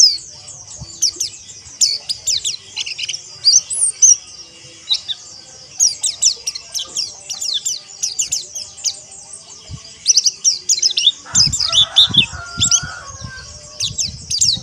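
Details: Crowd of white-eyes twittering at once, an ombyokan recording for training caged birds to sing coarse ngeriwik and ngalas: continuous high, fast, overlapping chirps throughout, with a few low thumps and a faint tone near the end.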